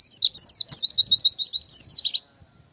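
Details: Brief burst of oriental white-eye song: quick, shrill twittering that settles into a rhythmic series of repeated downslurred notes, ending abruptly in silence after about two seconds.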